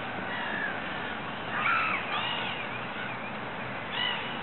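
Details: Water rail in a ditch in Regent's Park gives a few harsh, squealing, down-slurred notes, with a short burst mid-clip and another near the end, over a steady background hiss.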